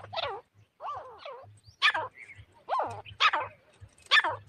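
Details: Grey francolin calling, recorded as a hunting lure sound: loud, harsh, arched notes in uneven bursts about once a second, some doubled, over a low steady hum.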